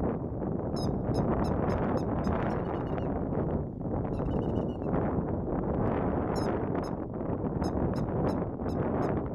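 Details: Grey-headed lapwing family, a parent with two chicks emerging from under its belly, with sharp, high, clipped notes in quick bursts of four to six over a steady roar of wind or traffic.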